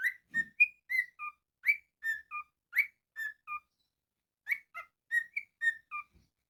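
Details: Pet cockatiel whistling in the morning: a string of clear whistled notes, some rising and some falling, grouped into short melodic phrases, with a brief pause before the tune repeats; a faint low thump near the start.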